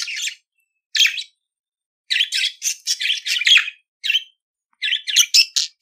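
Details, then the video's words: Budgerigar song for teaching a pet budgie to sing: scratchy chirps and chattering notes in quick runs of several syllables, separated by short silent gaps. "CANTO DO PERIQUITO AUSTRALIANO - Ensine Seu Periquito Cantar !"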